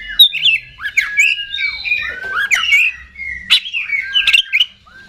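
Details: Oriental magpie-robin, a kept contest songbird, singing a varied run of slurred whistles, harsh squawky notes and sharp clicks mixed together in a restless, mimicking sequence.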